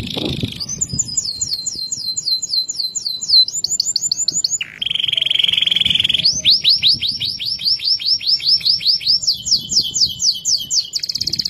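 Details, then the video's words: Canary in loper style giving a loud, clear song that prompts other canaries to sing: a chain of rapid trilled tours, a steady buzzy held note midway, then swift rising note series and a high fast roll. "Kenari loper ‼️suara jernih keras bikin kenari lain dengar ikut bunyi."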